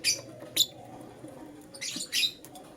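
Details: Lutino lovebird chirps in the morning: two quick sharp notes open, followed by drawn-out raspy screeches, all high-pitched and shrill.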